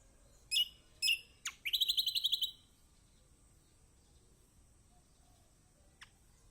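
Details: Lemon-bellied white-eye (kecial kombok) in a master song meant to stir silent birds: two high twittering notes, a sharp downsweep, then a rapid, even, bright trill lasting about a second, followed by quiet.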